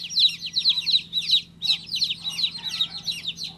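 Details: Newly hatched baby chicken chick giving bright, high chirps in quick bursts of three or four, pausing briefly between groups, over a low steady hum.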